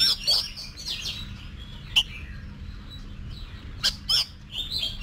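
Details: Oriental magpie-robin being trained to sing for competitions: loud whistled phrases around the upper range with sharp clicks, separated by quieter gaps, over a steady low hum.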